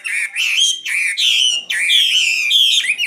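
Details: Nightingale delivering a sequence of rich, sustained whistled notes, each steady in pitch and separated by short gaps, repeated about every half second.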